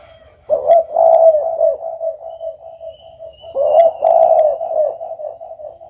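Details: Spotted dove (Spilopelia chinensis) cooing: two low, soft, rolling coo phrases, each about three seconds long, with a slight throaty break, against a quiet background.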